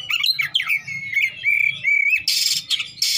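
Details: Oriental magpie-robin singing in the fast besetan style with rich fill notes. Lively whistled and slurred phrases end in bursts of harsh, scratchy notes, over a steady low hum.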